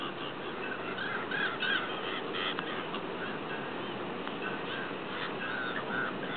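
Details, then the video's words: A busy colony of Slender-billed gulls in Spain gives a dense chorus of nasal, harsh calls that overlap constantly, with no single bird standing out. "Slender billed Gulls"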